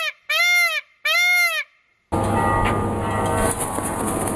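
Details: Peacock uttering two loud, arched, ringing nasal cries in quick succession, followed by a burst of harsh broadband noise that fills the rest of the recording.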